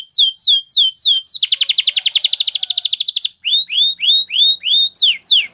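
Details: Canary training song: several descending whistles, then a long rapid trill of rhythmic pulses lasting nearly two seconds, followed by rising whistled notes at an even pace.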